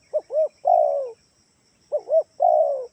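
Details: Lure call of a spotted dove, meant to prompt other doves to call back. The three-part phrase of two brief coos and a long sliding note repeats twice in quick succession, loud and clear against quiet background.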